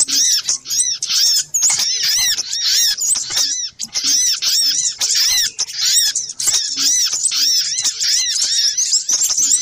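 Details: Noisy lure compilation of little spiderhunter: continuous shrill chattering made of quick, downward-curving chirps, many overlapping voices, steady and intense throughout with a few brief gaps.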